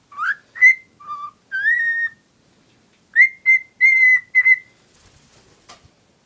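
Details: Whistling of a pet cockatiel hen smitten with a stuffed toy: rising, level and lower whistled notes, a pause, then four more clear whistles before quiet.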